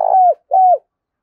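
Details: Spotted dove coos, used to lure wild birds into responding: two mellow, steady hoots, each ending in a slight downward slide, with a brief gap between them.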